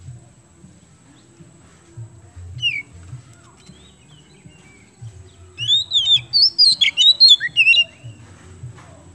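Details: Oriental magpie-robin (kacer) from Indonesia, whose song is used to stimulate other birds: a few faint whistles early, then a burst of loud, rapid, tumbling whistled notes around the sixth to eighth seconds, over a steady low hum.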